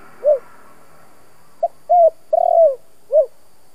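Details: Spotted dove giving stimulating 'kích bổi' coos: a lone rounded hoot, a pause, then a phrase of a clipped note, a short coo, a long trilled rolling coo and a falling closing coo.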